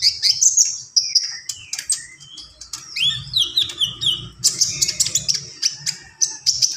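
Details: A common iora pours out song with varied high whistles, descending slurs, and buzzy chatter, then shifts into rapid, rhythmic sharp notes, one after another.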